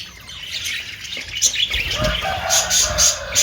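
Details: Australian parrot, a budgerigar, giving dense high chirping and squawky chatter, busy and irregular, with a low rumble of background noise underneath.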